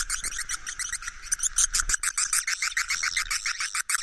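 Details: Swiftlets give a roosting-call ("suara inap") sound: a dense chorus of rapid, high, buzzy chirps, several per second and overlapping, with no other clear sounds.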